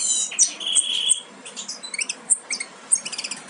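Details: Nearly fledged European goldfinch chicks, from a Major aminet-carrier and Parva Ancestral pairing, make high tweets: a sustained squeaky note at first, then short bright chirps in a rapid, uneven run.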